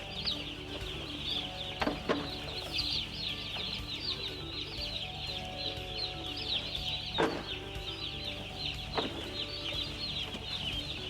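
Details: Broiler chicks in a crowd, shrill short peeps pouring out nonstop in an overlapping chorus, broken by a few dull knocks, over a low steady machine-like hum.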